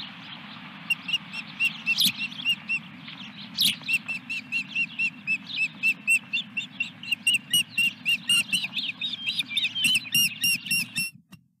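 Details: Osprey calling at its nest at Dunrovin Ranch on 17 May 2021 during a fish delivery: a long, rapid series of sharp whistled chirps, about four per second, growing louder and busier toward the end, over a low steady hum.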